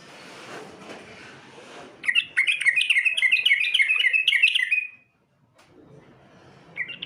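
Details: Sooty-headed bulbul competition song: a low rumble, then a loud, rapid run of bright chirping notes that rise and fall, lasting about three seconds, a silent gap, and a short final phrase.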